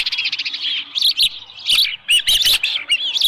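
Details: At the Dunrovin Ranch nest on 24 July 2018, early morning with a headless fish, an osprey gives piercing whistled chirps in uneven groups, some notes bending upward, with short gaps.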